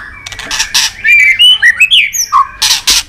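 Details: Excited White-rumped shama giving a short burst of varied whistled notes, rising and falling, bracketed by brief noisy bursts.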